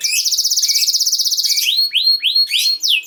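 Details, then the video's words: Canary song for training young canaries, opening with a fast even rattling trill, then a few separate rising and falling swooping whistles, high-pitched. "This Canary Sound Is Very Effective For Early Childhood Canaries To Sound || Voice of Canary"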